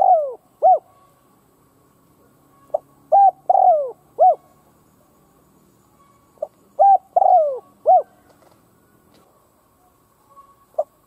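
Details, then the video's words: Spotted dove kept as a decoy to stir other doves into calling, giving repeated cooing phrases roughly every four seconds, each a quick pickup note followed by hollow level, falling and arched coos, with faint background hum. "Cu mồi gáy kích bổi chuẩn / Chim cu gáy kích bổi nghe là gáy / Cu gáy kích bổi nhanh căng lửa mới"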